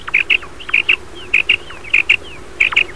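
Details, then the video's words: Common quail calling in the morning: short, clipped notes grouped in quick pairs, each group repeated roughly every 0.6 seconds, with faint slurred notes between them over a steady background hiss. "Common quail calling in morning time"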